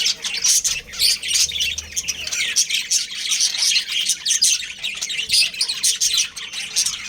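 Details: Pair of breeding budgies, pets, keeping up a steady stream of shrill chirps and grating warbled notes, tightly spaced bursts through the whole stretch.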